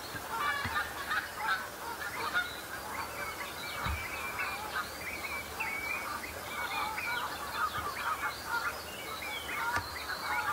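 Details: A flock of common shelducks sparring early in the breeding season to settle pecking order and impress mates; many overlapping cackling, honking calls form a dense, continuous chorus with a few low knocks.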